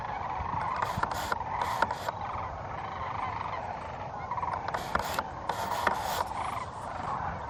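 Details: Sandhill cranes at their roost on a frosty morning at Pixley National Wildlife Refuge, California, giving clicking, rattling communication calls. A steady dense chorus centred in the mid range, with brief louder rattles standing out at irregular moments.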